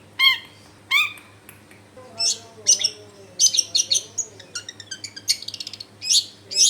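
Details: Long-tailed shrike song used as a lure to set other shrikes singing: sharp harsh notes and rapid high chattering bursts, mixed with mimicked chirps, over a low steady hum and faint background voices.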